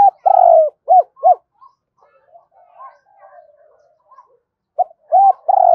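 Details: A spotted dove calls with a long coo and two short arched coos, a stretch of faint murmuring notes, then another group of coos ending in a held purr.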